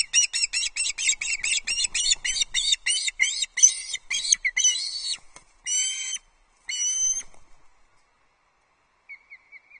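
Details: Osprey bringing an early breakfast to its Loch Arkaig nest, 31 August 2022. A rapid run of piercing whistled chirps gives way to a few longer, spaced calls, then near silence.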